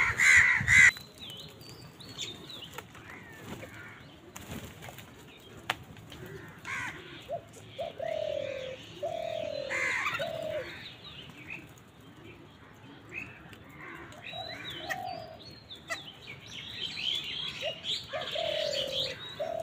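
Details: Crows fighting with wild birds over food give harsh, raspy caws in a noisy squabble, with other birds calling over them.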